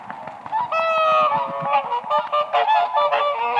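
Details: In spring, several whooper swans gather on lake ice, where they dance and call in a dense chorus of bugling, trumpet-like notes, some long and sustained, some short, overlapping continuously.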